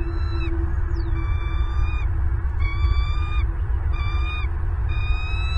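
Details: Bald eagles at a Southwest Florida nest on 8 December 2022, morning camera feed: four high, squealing chitter calls, one sliding downward, spaced about a second apart above constant low-pitched background noise.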